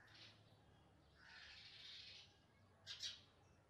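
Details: House sparrow chicks begging while being fed: a harsh, hissing rasp for about a second, then a short, loud double chirp near the end, over low background hum.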